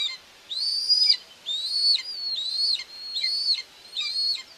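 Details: Common buzzard mother feeding two chicks at a nest in Tiszalök, Hungary, on 2 June 2024: five high, thin whistled calls, each arching up and falling away, roughly one per second.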